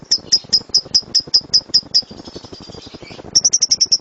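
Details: Lovebird in the 'gemuruh tembakan' style, a loud rapid-fire song used as a master recording to train birds: ten sharp high chirps in an even train, a short pause with faint soft notes, then another quick burst of chirps.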